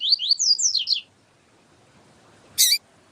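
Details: Siu siu song of a double-collared seedeater, with a female calling to warm up the male: about six rapid, high, swooping whistles, then silence and a single sharp broadband burst.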